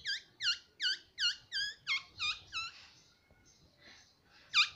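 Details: Pet green ring-necked parakeet, a talking bird kept indoors, calling a run of about eight sharp, squeaky, down-up squawks roughly every third of a second, then a brief lull and one louder squawk.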